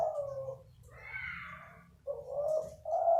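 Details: Krosing-style zebra dove giving gentle cooing song: a falling coo, a quieter higher murmur, then two steady rolling coos near the end, low room rumble beneath.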